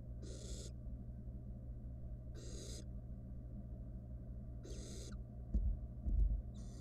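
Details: Nestling barn owl, wild, in a scientifically monitored nest box as it swallows a rat whole: four rasping hisses about two seconds apart, then scuffling thumps and a steady low hum.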